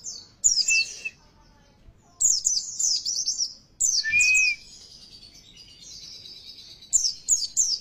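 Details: Oriental white-eye pancingan lure song, played so captive birds sing fiercely and loudly: bursts of quick high chirps separated by pauses, a loud pure whistle in the middle, and thin drawn-out high notes before a final chirp flurry.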